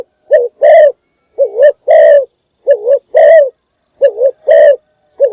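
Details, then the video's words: A decoy spotted dove gives its morning lure call: steady, loud pairs of coos, a wavy short note leading into a longer rounded one, about four to five phrases at an even pace in quiet surroundings. "นกพิราบดัง birds - เสียงนกร้องตอนเช้าเพื่อเรียกนกของคุณ"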